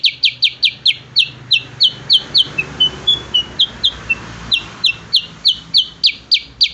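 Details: Cucak kurincang, a bulbul, in 'gacor' training song: brisk series of sharp, high chipping notes, a few softer whistled twitters midway, then the quick chips return; low background hum throughout.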